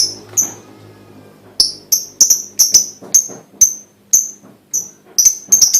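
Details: Lovebird lure song: a quiet opening, then crisp, piercing single chirps repeated roughly every half second, crowding closer together near the end.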